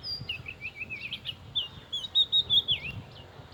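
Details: Oriental magpie-robin song: a rapid, lively string of sweet whistled notes and warbles, growing louder toward the end with a few strong clear whistles, with soft outdoor noise underneath.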